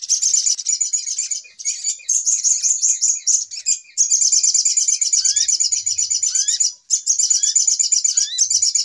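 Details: Lure call of the little spiderhunter for bird trapping: a continuous, shrill, rapid chatter pulsing steadily, with several brief upward-slurred whistles repeated in the second half.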